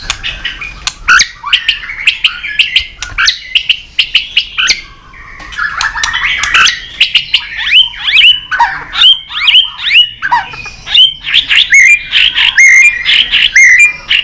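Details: White-rumped shama giving a long, flowing competitive song meant to excite other shamas: dense rapid run of varied whistles, chips and warbles, with sharp tacks and fluty slurred notes tumbling almost without pause.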